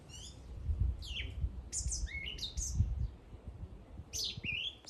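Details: A bird sings lively high chirps and swooping slurred notes in quick groups, with low rumbling noise in the background.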